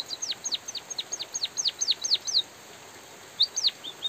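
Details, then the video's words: White-headed munia song for bird training: fast series of bright, sharply falling high notes, a pause of about a second, then a few more slurred notes and two soft chirps. "suara burung emprit pipit bondol kaji gacor jeda natural dan suara hujan"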